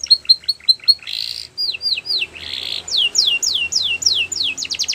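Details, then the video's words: Canary repeating short chirps about five times, a harsh buzzy burst, rising slurs, another buzz, then a series of loud downward-sweeping whistles quickening at the end. "The Best Canary Singing"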